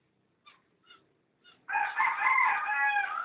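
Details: Two cockatiels, recorded 05.06.11: three faint short chirps about half a second apart, then a long, loud, harsh screeching call with layered harmonics lasting over a second.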